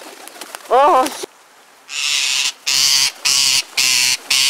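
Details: Harsh, grating screeches from rose-ringed parakeets feeding by hand near feeders, given in loud bursts of about half a second with brief gaps, following a short spoken exclamation from a woman.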